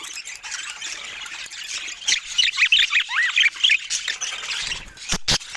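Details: Budgerigars kept as pets chirp while eating fruit: quick bright warbles and a clear rising-falling whistle stand out over soft background chatter, followed by a few sharp clicks near the end.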